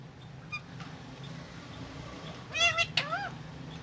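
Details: Indian ringneck parakeet eating guava, said to be talking; a quiet stretch with low hum, then near the end a few loud, harsh, harmonic-rich squawking calls in quick succession, one with a wavering rising-falling shape.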